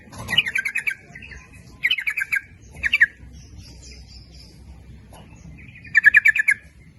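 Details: Yellow-vented bulbul lure for drawing males and females, lively 'nguplik ropel' singing: four bursts of rapid gurgling, chattering notes separated by quiet gaps, with a faint high twitter midway.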